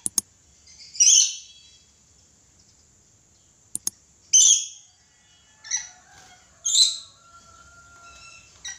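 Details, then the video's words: Red lory in full, frequent voice, letting out harsh, shrill screeches in separate bursts spaced one to two seconds apart, with a few sharp clicks between them and a thin steady whistled tone in the background. "Suara asli nuri red lory gacor"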